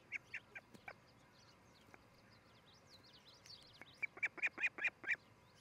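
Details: Osprey at a nest near Charlo, Montana, on a camera watching a pair, 13 July 2018, early morning; a few scattered notes, then a quickening run of sharp, clear chirped calls, evenly repeated, with soft background chirps.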